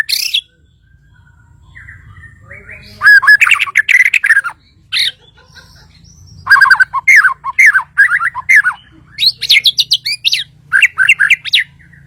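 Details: Kalimantan white-rumped shama giving bursts of rich, varied song: rapid clustered chips, sweeping whistles and harsh notes in irregular phrases separated by quiet gaps, with a low constant hum underneath.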